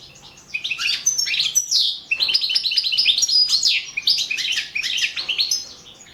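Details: Balkan goldfinch, Carduelis Balcanica, recorded for the 2017 online song championship; a steady stream of bright, rapid twittering and rolling tinkling notes running almost without a break for six seconds.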